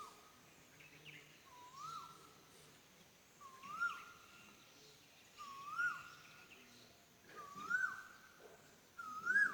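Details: Cuckoo calling, a short whistled note that swells and lifts upward at its end, repeated about every two seconds in five evenly spaced calls over a quiet background.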